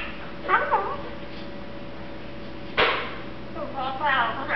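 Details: Contented, sleepy one-year-old pet Eclectus parrot mumbling: short bursts of garbled speech-like chatter with wavering tones, a sharp broadband click near the middle, then more warbled mumbling, over low steady hum.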